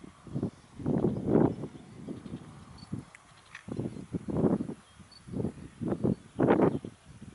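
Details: Great egret recorded at Westbroek in the Netherlands on 29 April 2019, giving rough, guttural croaks in uneven series of grating bursts separated by short gaps, over light rural background noise.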